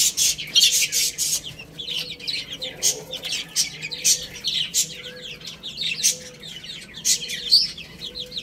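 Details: Short, piercing chick peeps repeat throughout as the birds eat rice, with heavy bursts of beak clicks at the start and a gentle pulsing hum below.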